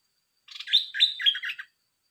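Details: Red-whiskered bulbul kept as a caged bird, singing a lively warbled phrase of about four slurred, whistled notes that rise and dip in quick succession over about a second, with no other sounds.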